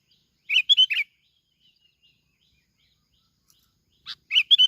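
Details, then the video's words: Plain-backed sparrow from Bình Thuận, Vietnam, used as a lure, gives a quick three-chirp phrase, pauses about three seconds, then a raspy note and the same chirped phrase again. "bông lau Bình Thuận. tiếng chim bông lau kít bổi"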